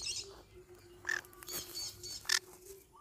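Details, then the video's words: Pineapple conure parrot calls: two rasping, noisy squawks just over a second apart, the later one sharper, with a low hum and faint thin whistles in between. "Pineapple conure sounds"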